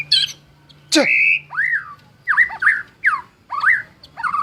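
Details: Energetic white-rumped shama song, billed as a champion bird's: a sharp note, a long steady whistle, then a string of fluty, looping slurred phrases repeated roughly every half second, with a low hum at the start.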